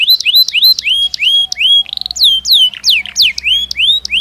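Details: Belgian canary singing naturally: loud, quick series of rising and falling whistled slurs, roughly three per second, varying in pitch and shape.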